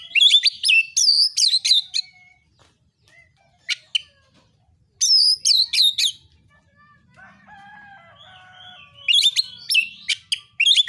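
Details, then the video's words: Narung fighting song of an Oriental magpie-robin, used to stir rival birds to answer. Rapid runs of piercing whistles and clipped harsh notes come in three loud bursts, separated by near-quiet pauses with faint chatter. "KACER MANA YANG DIAM DAN NGAK NYAUT DENGAN KICAUAN KACER NARUNG SATU INI"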